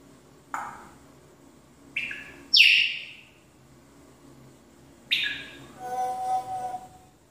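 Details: Pet African grey parrot mimicking sound effects indoors: a run of sharp sweeping whistles, one bright downward swoop, then a buzzy, tonal warbling burst near the end.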